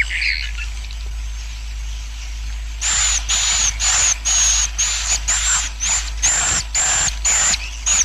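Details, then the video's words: Swiftlet roosting colony sound used to bring in swiftlets and speed colony growth: a few faint chirps, then after about three seconds a run of loud hissy bursts with shrill whistles on top, roughly two per second. "SUARA INAP KOLONI WALET"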